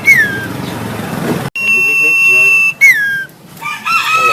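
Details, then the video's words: Black-headed sibia, a kept bird, singing while puffing up: downslurred whistled notes and a steady sustained high whistle with a fainter lower tone, followed by a short burst of warbled notes. Light background hiss throughout. "Sirtu Kepala Hitam Gacor Sambil Mompa"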